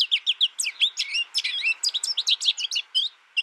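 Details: American goldfinch giving a fast run of high, sweet twittered notes, each short and bright, strung closely together for a few seconds without pause.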